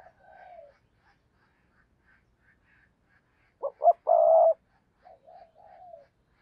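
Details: Decoy spotted dove luring wild doves makes one loud phrase of two quick notes and a long coo, with faint softer falling coos before and after.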